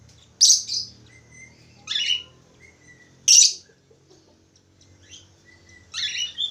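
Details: Budgerigar, or parkit Australia, giving scattered high chirps and sharp squeaky bursts about every one to two seconds, with thin whistled notes between and quiet gaps in a calm indoor setting.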